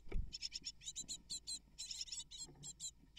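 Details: Great tit (Parus major) nestlings begging during feeding: a low thud at the start, then high, chattering chirp bursts repeated quickly, with some soft low rustling underneath.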